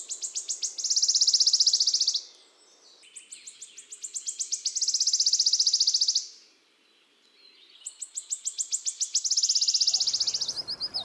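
Three Wood Warbler songs, each a quickening run of high ticks that speeds into a long, shivering, metallic trill, roughly every four seconds.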